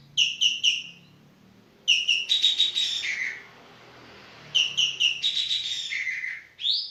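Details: Vigorous calling of a Javan green magpie (Cissa thalassina): two bouts, each opening with three sharp notes followed by a dense buzzy rattle that drops in pitch, the second bout closing on an upswept whistle.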